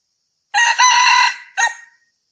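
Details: Red junglefowl crow played to lure birds for hunting: a loud, rasping, evenly held crow of about one second, ending with a brief separate hoarse note.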